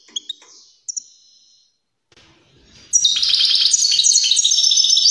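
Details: European greenfinch song for stimulating singing and mating in other birds: a few isolated chirps and a thin drawn tone, then a loud, dense, buzzy twittering trill from halfway through.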